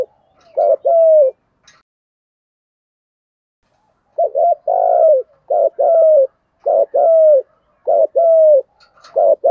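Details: Lure spotted dove with 'giọng thổ' voice, cooing fast and insistently: clipped double notes followed by a longer mellow coo, repeated in close runs after an opening phrase and a pause.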